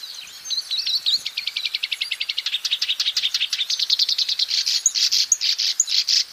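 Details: In the wild, a black-browed reed warbler sings energetically: a dry rattle of evenly repeated notes speeding up, then louder, rhythmic chacking syllables pulsing steadily to the end.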